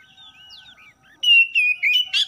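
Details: Oriental magpie-robin singing in the morning. Faint thin slurred notes lead into a loud, drawn-out clear whistle, followed by several shorter strong whistled notes.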